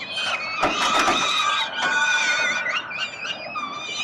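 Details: Peregrine falcon chicks on a Collins Street ledge in Melbourne, Australia, screech for food as the father feeds them on 30 October 2021, in rapid, overlapping, quavering squeals with wavering pitch.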